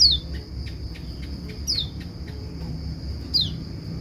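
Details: White-eye calling so that other white-eyes answer: three brief, high, downward-sweeping whistled notes spaced about one and a half seconds apart, with a continuous shrill insect drone and faint ticking underneath.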